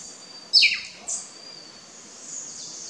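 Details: Pearly-eyed thrasher at Wallings Dam, Antigua, gives a sharp, steeply falling note followed by a shorter high one, over a steady high-pitched insect drone.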